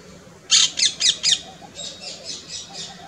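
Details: Female Asian koel, apparently responding to a distant male mating call, gives shrill, harsh keek notes: four loud ones about a quarter second apart, then a fainter run of similar notes.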